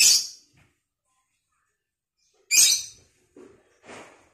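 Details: Harsh, grating lovebird screeches from vocal training: one at the start and another about two and a half seconds later. Softer rough chirps follow the second screech.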